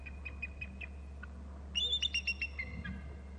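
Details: Eagle calling on landing after flying from the right to the upper right of the babysitting tree within its nest territory on Hornby Island; a burst of thin, high, rapid piping notes around the two-second mark, over steady low hum.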